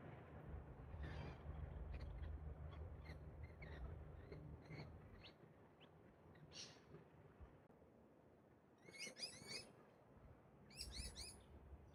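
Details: Wild pair of Australian Galahs (Rose-breasted Cockatoos) in park trees during their pair bonding ritual; two short bursts of harsh, rasping screeches close together, over a steady low rumble of background noise.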